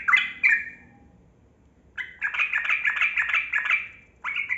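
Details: Yellow-vented bulbul song of the long 'ropel' type, meant to prompt quiet caged bulbuls to sing. Two bubbly notes, a one-second silence, then a fast rattling run of chattering notes and a final rising whistle.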